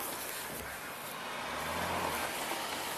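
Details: Steady broadband rumble of a moving vehicle, like a train or car, with a low engine drone swelling midway and a constant hiss across the clip. No animal voices.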